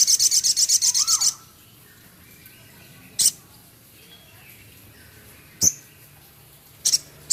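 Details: A singing male Javan cochoa, with scarlet minivet material and rough chatter in its song. It opens with a fast high buzzing rattle of about ten pulses and a dipping whistle, followed by sharp isolated clicks and bursts.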